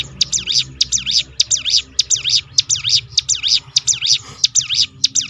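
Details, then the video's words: Ciblek gunung (hill prinia) 'roll tembakan' phrase, a lure to get other birds singing: long, regular chain of bright high chip notes that sweep down and up, roughly three per second, with soft low background rumble. "roll tembakan ciblek gunung memancing bunyi burung lain"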